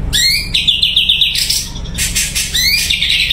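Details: A caged Sumatran leafbird sings loudly and clearly: upswept whistles rolling into a quick warbled trill, harsh noisy bursts, then another rising whistle and trill, with faint low hum behind.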